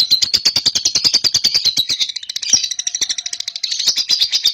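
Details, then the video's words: Cobalt lovebird, a young hand-fed-stage bird in a cage, delivering a sustained ngekek: a dense, rapid, buzzy chatter of regular high pulses running the whole length without a break. "PANCINGAN LOVEBIRD PAUD COBALT | AGAR RAJIN NGEKEK"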